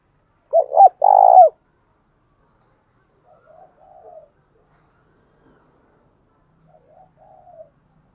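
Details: Decoy spotted dove cooing to stir wild doves to fight: two loud mellow coos, the second throbbing, come early, then several seconds of very faint, distant-sounding soft coos in near silence.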